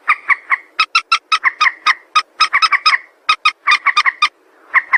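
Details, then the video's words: White-breasted waterhen calls played as a trapping lure: harsh, croaking double notes repeated rapidly in bursts, with short gaps between runs and no other sounds. "suara mandar sawah"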